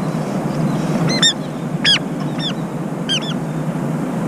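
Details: A pair of brown-eared bulbuls, one standing guard as its mate eats and bathes; sharp, piercing, downward-curving shrieks come singly and in doubled bursts against a constant low hum.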